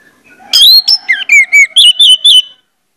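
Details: Orange-headed thrush song, used to prompt other orange-headed thrushes into song: a two-second phrase of varied loud whistles, rising and falling slurs followed by a run of evenly spaced sweet notes, in near silence.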